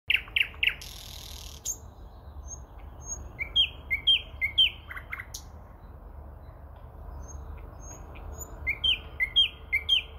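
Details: Common nightingale singing near Moscow in early May: an opening burst of sharp clicks, then a series of quick, bright whistled notes repeated in runs of three or four, a pause, and another matching run near the end.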